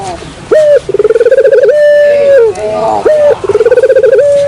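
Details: Dove lure call: a loud, steady tonal note that breaks into a fast rolling trill, then a long held coo ending in a drop, with the pattern starting again after a short gap.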